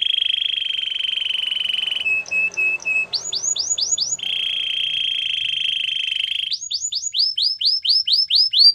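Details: Canary training song: steady buzzy trill held level, a short clipped rattle, then bursts of rapid rising-and-falling whistled notes repeated about four per second, alternating with another flat trill.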